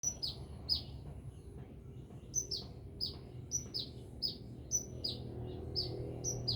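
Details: Sunbird singing vigorously, from Binjai: bright, high chirps that slide downward, given in quick pairs and runs about twice a second, over a steady low hum.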